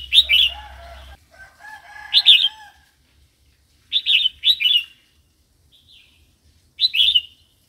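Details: Red-whiskered bulbul giving varied wild song for tutoring caged young birds and enticing newly caught ones: a run of bright, liquid, fluty phrases in quick groups of two, with softer lower notes behind the first.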